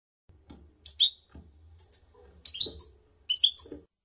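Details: European goldfinch singing on a teaching recording for young birds; clipped high twittering notes in small clusters, interspersed with quiet gaps and a faint low rumbling background.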